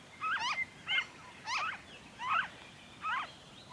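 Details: Noisy friarbird (Philemon corniculatus), Victoria, Australia, February 2023: grating, gobbling notes with zigzag downward inflections, repeated irregularly about every three quarters of a second.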